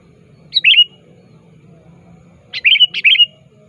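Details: Sooty-headed bulbul calling a rival, a lure for catching birds. One bubbly slurred phrase, a pause of nearly two seconds, then a quicker pair of liquid chirping phrases.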